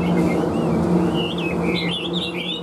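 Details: Brief snatch of a caged Hwamei's song: loud wavering whistles and quick slurred phrases over a steady low engine-like drone.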